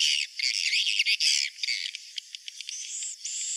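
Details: Swiftlet roosting call: dense, raspy high chirps and squawks in rapid clusters. The sound thins into scattered clicks, then ends in drawn-out high whistles, with no low sound beneath.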